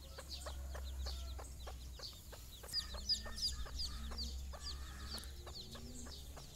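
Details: Mother hen calling her chicks for a morning walk, their first time outside; rapid short clucks repeated about three per second, with many high thin peeping chicks throughout and a steady low hum.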